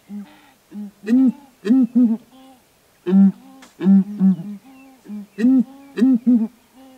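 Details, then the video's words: Southern ground hornbills duetting from a perch on a branch in Kruger National Park: deep, resonant booming hoots, a single note followed by clusters of three or four, answering back and forth. "Intriguing Sounds: Southern Ground Hornbill's Song"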